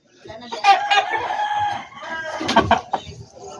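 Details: Rooster in a backyard poultry flock: a strained, wavering crow of about a second, then sharp clucks and a clattering knock. Quieter chicken calls sound in the background.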